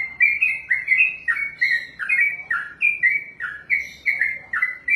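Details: A yellow-vented bulbul, or trucukan, sings an extended ropel song of liquid slurred whistles strung tightly together, steady and loud across the whole stretch.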